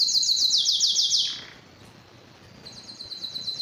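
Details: Canary trilling fast and high with quick repeated swooping notes, breaking off for about a second before another bright rolling trill begins, with light hiss behind.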